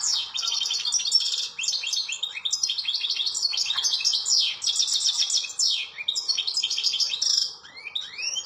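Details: Outdoors in nature, a European goldfinch pours out a long, lively song of fast twittering phrases, chirps, and quick up-and-down slurred notes, broken by brief pauses and ending in rising sweeps.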